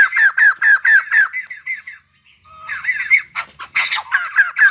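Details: White-crested laughingthrush performing its dance song: a quick series of evenly spaced, loud squawky downslurred notes, a short pause, then rougher rapid chattering.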